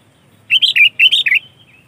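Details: A sooty-headed bulbul, recorded genuine without imitated songs, gives a quick, bubbly phrase of five or six liquid, warbled notes, rising and falling over about one second, with a faint low hum beneath.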